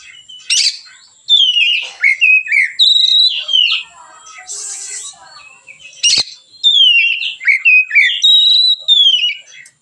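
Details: White-rumped shama singing in a relaxed style, used as a lure and training model for other birds: varied rich whistled phrases, slurred and warbled, in bursts with short pauses, plus a brief hissing noise and a sharp click.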